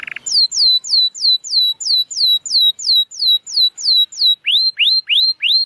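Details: Canary song used as a lure to prompt silent canaries to sing: a fast, regular tour of high downslurred whistled notes, about three per second, then switching to several rising sweeping notes at the end; no other sounds.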